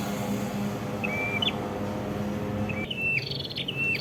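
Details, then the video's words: Red-headed prinia in Kedungprahu village, Ngawi, East Java: a single thin whistle with an upward flick, then after a pause a louder run of quick whistled phrases and buzzy notes, over low hum. "mp3 Suara Prenjak Kepala Merah Gacor cocok untuk masteran atau pikat"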